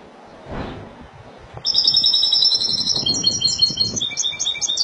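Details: After a soft low thump and a quiet start, a Spanish goldfinch launches into Malaga-style song. Bright, high twittering phrases of fast repeated notes continue steadily to the end.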